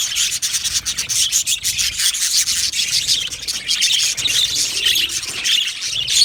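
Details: Crowded aviary colony of happy budgerigars chirping keeps up an unbroken, rasping, high-pitched twittering, with many birds calling at once and the volume pulsing slightly.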